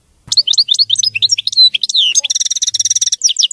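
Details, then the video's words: European goldfinch, called maqnin, singing cleanly without errors: a fast stream of varied tinkling, slurred notes flowing into a rapid, buzzy, rattling trill, then more twittering. "تغريد ملك الطيور المغردة الحسون (المقنين) نظيف وخالي من الأخطاء"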